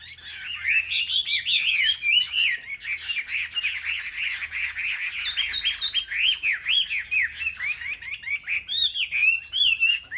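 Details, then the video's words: Competitive singing from caged Chinese hwamei on a market rack: loud, fluid whistled phrases swooping up and down, dense and continuous, with sharp high flourishes near the end. "Họa mi hót đấu"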